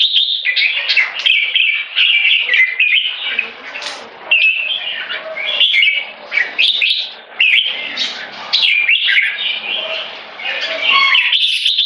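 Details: A red-whiskered bulbul delivers a near-continuous stream of one-stroke song leading to keke. Liquid whistles and chattering notes tumble together, broken by quick pauses.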